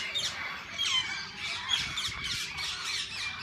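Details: A walk-in parrot zoo aviary full of assorted parakeets: loud scratchy squawks and twittering in quick bursts, several birds calling together, the chatter rising and falling in waves over a few seconds.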